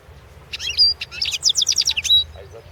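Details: A European goldfinch in the 2016 World Championship in Goldfinch Song, recording 001/2016, delivers one lively phrase of quick, sharp, high twittering notes, including a thin whistle, ending in a short buzzy run, over a low hum.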